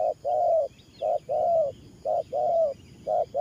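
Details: Decoy spotted dove delivering 'thổ pha' coos: loud, fast short-long pairs about once a second, with each long note slightly rising. Faint bird twitters are heard in the background.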